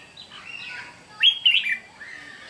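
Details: Red-whiskered bulbul, a wild-caught bird, singing on 8 June 2023: soft wavering whistles lead into a loud, rich, slurred phrase of rising and falling notes, ending in a quieter lower whistle.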